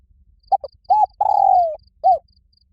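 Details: A spotted dove gives a challenge call, very loud and resonant. One phrase: two short coos, a rounded hoot, an extended coo easing downward, then a last coo. A faint high rhythmic chirp sounds throughout.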